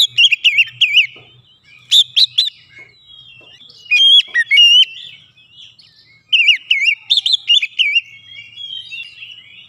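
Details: Oriental magpie-robin answering a lure recording with an intense, full song: clear whistled notes mixed with quick chirps and high sharp accents, delivered in bursts separated by quieter gaps.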